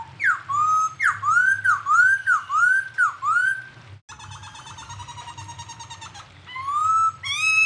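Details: Tutoring recording for cage songbirds with an unnamed bird giving loud looping whistles about twice a second, then a thinner rapid trill and a final bright upward whistle; low hum underneath.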